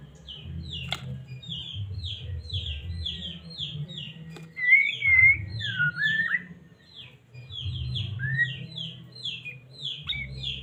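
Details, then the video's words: White-rumped shama from Medan, a caged songbird whose song provokes others to sing: a long series of short downslurred notes, broken midway by a few loud fluid whistled phrases, over a low rumbling hum. "Murai batu cocok buat pancingan burung anda"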